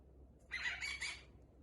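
A cockatiel rasps out a brief, breathy phrase of mimicked human speech, imitating "hello baby".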